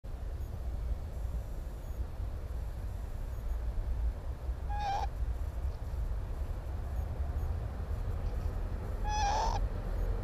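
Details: Northern lapwings on Timiryazev field in May, filmed at the nest during breeding: two short nasal calls about four seconds apart, each a slurred, rising tone rich in overtones, over a steady low rumble.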